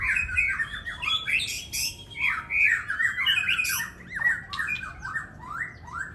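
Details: Pair of competing songbirds exchanging their featured song fills in a singing battle: loud, chattering, scratchy phrases mixed with downward whistled slurs and harsh squawk-like notes, delivered in continuous bursts.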